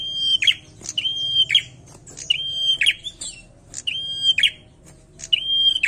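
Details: Energetic bar-winged prinia song, a string of clipped ticks each leading into a shrill even whistle and a buzzy flourish, four to five phrases in a row over quiet low hum.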